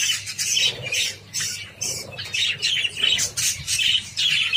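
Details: Several Java sparrows feeding on wheat grains in captivity give a busy run of high, harsh squawking chirps, coming in quick uneven bursts with brief pauses, a faint low hum underneath.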